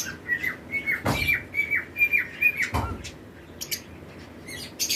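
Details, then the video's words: Lovebird pairs in a breeding-season flight colony make short squeaky chirps, often downslurred, repeated roughly twice a second, with two knocking thuds and sharp high notes near the end. "Lovebirds Chirping Sound"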